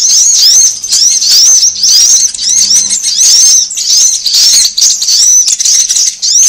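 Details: Lure recording of sunbird calls for attracting birds, with bursts of quick arched, squeaky notes repeated in tight clusters, a near-continuous shrill chatter and a faint low hum in the first half.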